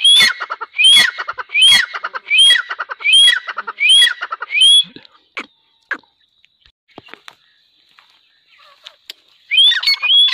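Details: Grey francolin, known locally as teetar, calling loudly: about seven sharp ringing whistled phrases come about every three-quarters of a second, then a quiet pause with faint clicks, and the series starts again at the end.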